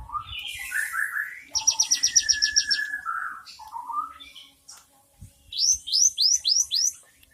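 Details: Varied Cinereous tit song with rich 'isian' fill: rising whistled notes, a quick rattling trill, low slurred phrases, then a series of clear downward-curving whistles.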